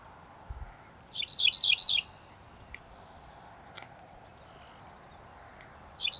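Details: Adult male Dickcissel singing from a farm field in Seneca County near Geneva, New York, on May 25, 2024: a dry, buzzy phrase of a few quick stuttered notes lasting about a second, then again; steady low hum.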